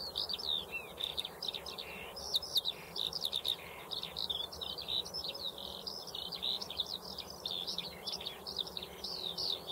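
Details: Rapid, continuous high song of a Eurasian skylark: tumbling chirps, short whistles and trills strung together for nearly ten seconds, faint hum underneath.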